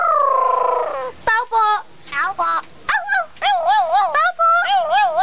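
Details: Pet crow speaking to its keeper, opening with a long, gliding nasal tone, then choppy bursts and a string of wobbling, speech-like syllables repeated with short gaps.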